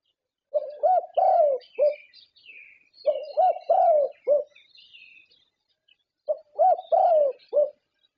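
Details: Champion zebra dove from Thailand, its voice a judging standard in contests, sings three phrases, each a quick note, an upturned coo, a long falling purr and a short closing coo; small birds twitter faintly behind.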